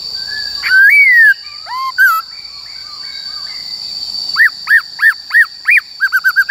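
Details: Black-throated laughingthrush in wild forest-style song, played to train young and wild-caught birds: a rising whistled phrase, softer notes, then a fast series of arched whistles ending in quick repeated chips, with a constant high-pitched whine behind.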